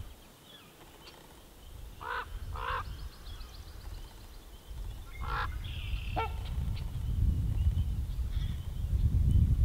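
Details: A pair of trumpeter swans feeding at a beaver pond in Minnesota in spring, where they return yearly to raise chicks, somewhat cautious: a few short, nasal, horn-like honks, single or in quick pairs, over a steady low rumble of wind or water.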